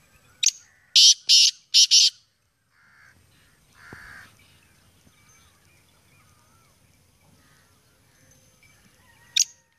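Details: Black francolin, Sindhi black partridge, calling one short rasping note followed by three harsh grating bursts in quick succession, then a long quiet stretch with faint background noise and a final sharp note near the end.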